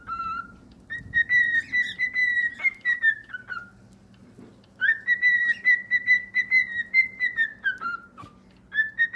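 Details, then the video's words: Cockatiel singing two long whistled phrases of rapid pulsed notes, each starting with a rising note, holding a level pitch and sliding down at the end, with a short pause between. "Enchanting Cockatiels Singing Various Songs"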